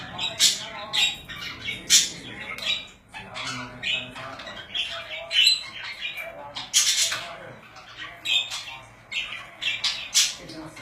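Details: Pet budgerigars in steady warbling chatter, with rapid scratchy chirps mixed with sharper squeaky calls, rising to loud harsh bursts near two, five and seven seconds.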